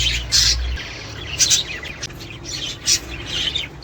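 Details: Budgies, sound for prompting mating and egg laying: sparse bursts of squeaky warbling roughly once a second, separated by quieter chatter, with a low hum at the start.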